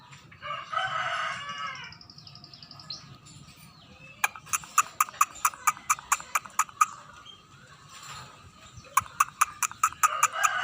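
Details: Scaly-breasted munia beginning to sing steadily: a drawn-out wheezy whine, a gap, then repeated crisp clicking notes in two runs, ending on another nasal whining note, with a low background murmur.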